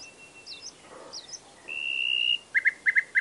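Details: Nightingale delivering soft high flicks, then one loud sustained whistle, then a string of quick, evenly spaced chirped notes.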